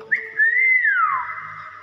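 A common hill myna gives a clear, human-like whistle: a short pip, then a long steady note that glides down and holds low. It is recorded indoors.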